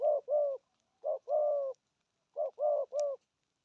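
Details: Cooing spotted dove in the 'thúc gù' style: three tight groups of mellow, hollow notes, each a short clipped coo followed by a longer sliding one, with brief pauses between groups.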